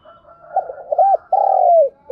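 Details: Spotted dove lure call for training decoy birds: soft stuttering lead-in notes build into a rounded coo, then a long smooth falling phrase, and a new coo begins at the end.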